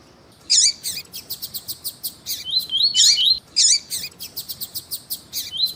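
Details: Lined seedeater (coleiro tuí-tuí), female calling to warm up a male; energetic high song of fast repeated sharp notes mixed with whistled slurs and loud chirped bursts, nearly continuous.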